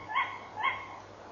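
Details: Tawny owl barking at night, at 23:32 on 11 November 2013, picked up by a fixed camera; two short, harsh, harmonic barks about half a second apart over a steady low hum.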